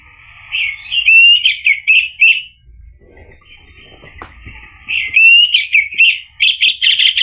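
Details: Orange-headed thrush lure song meant to get a bird to reply: a rising whistle runs into loud, fast, varied chattering phrases, a quieter pause with soft buzzing, then another energetic run of sharp notes.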